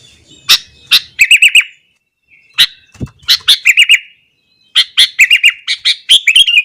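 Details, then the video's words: Sooty-headed bulbul singing at dawn-time intensity to rouse neighbouring bulbuls, with bright chirps leading into rapid bubbly phrases of four or five notes, in three bursts with quiet gaps. "burung kutilang gacor kesetanan yakin bikin tilang lain langsung naik emosi"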